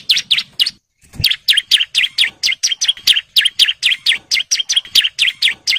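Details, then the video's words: A breeding male bar-winged prinia calling females repeats loud, sharp, downslurred chirping notes at a fast steady pace after a short opening burst and a brief pause. "CIBLEK JANTAN BIRAHI GACOR NGEBREN MANGGIL BETINA KOLONI"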